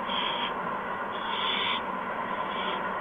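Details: Owl nest on March 13, 2015, around 8 PM, as adults bring mice and a gopher to the owlets. Overlapping drawn-out breathy hisses run almost without a break over a dense steady hum.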